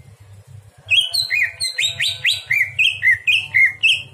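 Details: Greater green leafbird singing at night, a recording meant for training other birds: after a quiet start, about ten clear slurred whistles follow rapidly, alternating rising and falling notes, over a faint low hum.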